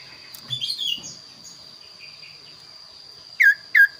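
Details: Kaso-kaso bird singing a varied, unusual song: soft warbled phrases at first, then two loud, short downslurred whistles in quick succession, with a constant high-pitched whine behind.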